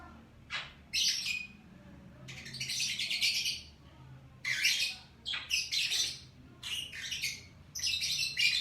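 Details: Lovebirds chattering in the morning: bursts of harsh, buzzy, scratchy twittering, each lasting under a second, with quick sharp chips between, over a steady low hum.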